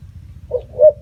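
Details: Spotted dove giving two low, soft cooing notes: a brief quieter coo followed by a longer, louder, steady coo, over a faint low rumble in the background.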